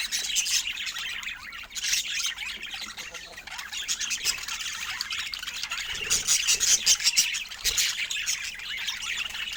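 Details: Pet budgerigars giving a continuous, dense warbling chatter of rapid high chirps, squeaks and twittering notes, growing busier and louder toward the end.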